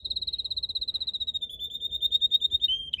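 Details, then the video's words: Red canary singing in a garden beside purple azaleas in late March: a clear high trill of rapid repeated notes, steady and slightly falling, ending with a short lower roll. "赤カナリア りんりんの囀り🐥Red Canary Singing"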